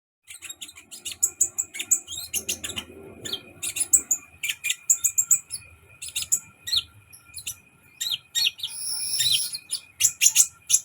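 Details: Sunbird singing a lively run of sharp, very high chirps and tweets in quick succession, broken by a dense buzzy rattle near the end, with a faint low hum underneath.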